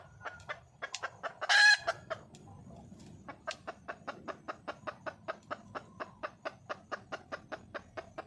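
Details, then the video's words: Calling for a mate, a wild junglefowl hen gives a loud harsh burst early on, then a long steady run of short clucks repeated roughly three times per second. "le bruit d'une poule sauvage,เสียงไก่ป่าร้องหาถู่หาตัวผู้,ສຽງໄກ່ປ່າຮ້ອງຫາຄູ່ຮັກ, poj qaib qus see"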